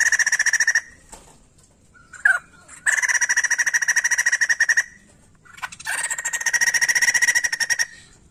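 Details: White-crested laughingthrush in full song: loud, rapid rattling bursts of about two seconds, each a fast run of ringing pulses, repeated after short pauses. The recording is used to stimulate other laughingthrushes to sing.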